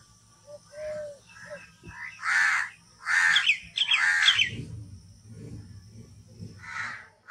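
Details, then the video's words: Crow cawing three times in a quick cluster of harsh, grating calls, with other small birds chirping and twittering around it and a low rumbling background hum. "कौवे पक्षी की ध्वनि - crow call & voice"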